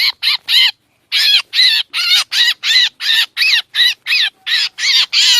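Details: Black drongo calling, as played for trapping: three quick raspy notes, a short gap, then a steady string of about a dozen hoarse, arched squawks, loud and close.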